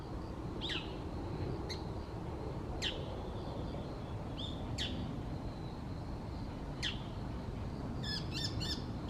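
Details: Female Bull-headed Shrike in an urban park or riverside in late October, her call described as surprisingly fierce and rough: sharp descending calls at irregular intervals, ending in a quick burst of several notes, over steady low background noise.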